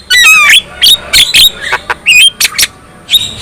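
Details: Black-winged myna song said to provoke other black-winged mynas into singing; dense harsh squawks and quick falling whistles, sharp chattering notes repeated several times a second.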